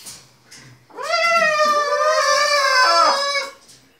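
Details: Indoor pet macaw playing with its owners and a tea towel gives one long, steady, richly harmonic wooooo call lasting about two and a half seconds, dipping at the end, in a small room.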